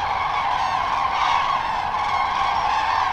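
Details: Late-afternoon return of migrating Common Cranes to their roost on a lake in northern France, Lac du Der-Chantecoq. A dense, unbroken chorus of loud, overlapping trumpeting calls from a large flock.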